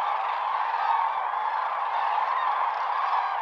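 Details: Common cranes gathered in great numbers on Lake Hornborga at dawn, sounding their fanfares; unbroken wall of overlapping bugling calls from many birds, steady in loudness throughout.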